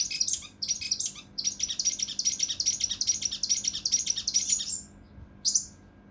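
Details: Mountain leaf warbler (cucak rante mas) in the 'kinoi emosi' style, rough dense 'tembakan' phrases for tutoring contest birds: a long, rapid run of high, scratchy chirps at about two per second, then a pause and one more burst.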